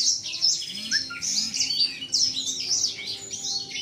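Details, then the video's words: Seven-month-old male blacksang in a cage, voice still unbroken, displaying its wings to a female; fast chattering high song of packed chirps and buzzy slurs, with a low faint whine beneath. "Blacksang gacor buka sayap"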